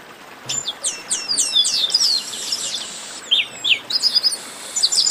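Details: A 'baderna' chorus of chestnut-capped blackbirds: dense strings of high downslurred whistles delivered in fast succession by several birds, with short pauses between bursts.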